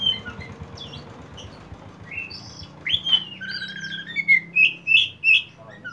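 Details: Kacer poci oriental magpie-robin singing in the rapid konslet style, played as a lure for untrained birds. Quiet chirps at first, then loud clear whistled phrases, some rising and some falling, in quick bursts toward the end, with a faint low hum behind.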